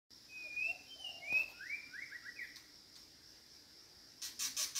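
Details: White-rumped shama calling for a mate: a run of clear whistled notes, several short upward-sliding phrases in quick succession, over a steady high insect drone, with a few sharp clicks near the end.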